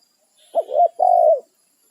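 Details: Single phrase from a wild spotted dove calling its companions on its territory: a hurried wavering double coo, then a long smooth low note ending in a slight fall.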